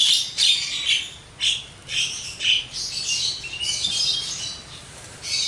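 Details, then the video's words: Javan myna in full, energetic song, giving a series of loud squawky bursts about every half second. Some bursts end in short rising whistles. "burung jalak kebo gacor,full materi"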